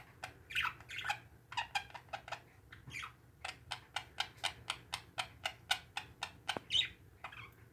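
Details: Parakeets kept as pets squawk briefly at the start and near the end, while a long series of even clicks fills the middle.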